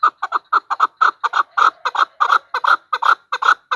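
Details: Female chukar call used as a hunting lure: rapid series of harsh clucking chuk notes, about four per second, many paired, steady and loud throughout.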